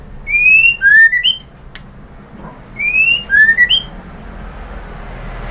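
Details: White-rumped shama song used as a lure to make other birds answer: two loud clear whistled phrases, each a rising slur followed by a lower note and a short upturned whistle, with a quiet pause between them.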